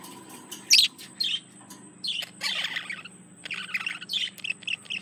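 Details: Male budgerigar courting a female, soft rambling warble with a few sharp squeaks, scratchy chattering phrases over a faint steady high tone and low hum.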